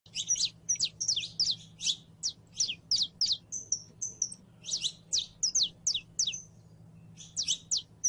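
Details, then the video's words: Saffron finch, known as canario criollo, in full song: bright, sharp chirped notes in quick, varied bursts with short pauses, over a low, steady hum. "CANARIO CRIOLLO EN PRELONO CANTO"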